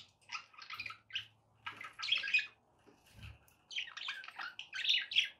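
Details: Indoor pet budgies chatter in clusters of raspy, trilled chirps and squeaky notes, phrases broken by short gaps, with a faint low hum in the background; meant to encourage a parrot to eat and sing.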